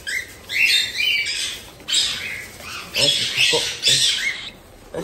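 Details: Cockatiel chicks about one month old at a breeder in Tokachi, Hokkaido, Japan, give 'jaa-jaa' begging cries, heard only in the chick period: harsh, raspy bursts in rapid overlapping runs, with a woman speaking softly after feeding.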